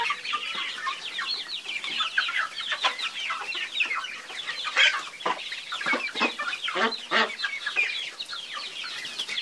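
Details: A group of chickens keeps up a constant babble of brief, sharp clucks and squeaky notes, with a few louder calls standing out near the middle.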